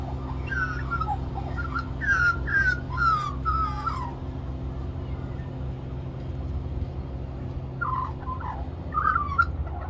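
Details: Magpie singing the whole time for more mango at a lunch stop in Cirillo Reserve, Middleton Grange, NSW, Australia. A burst of bright, falling warbled phrases, then a pause and a shorter second burst, over a low steady hum.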